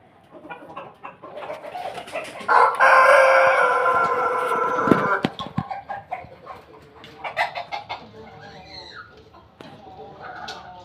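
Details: Rooster of a Pelung and Bangkok cross crowing: a loud sustained crow lasting about two and a half seconds, preceded and followed by rapid clucking and scattered knocks.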